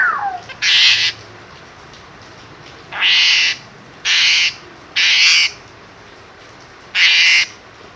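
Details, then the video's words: Asian pied starling screaming: five loud, rasping, noisy bursts of about half a second, spaced one to two seconds apart, with quiet background between. "burung jalak suren menjerit"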